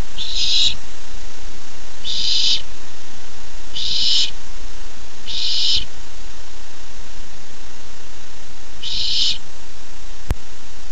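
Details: Barn owl owlet recorded July 13, 2015, eager for its first treat, gives five loud, raspy hissing screeches roughly every one and a half to two seconds, then falls quiet apart from one sharp click; low constant hum underneath.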